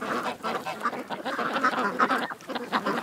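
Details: Ducks gathered at a creek, a dense overlapping chorus of nasal quacks and honking calls running on without pause.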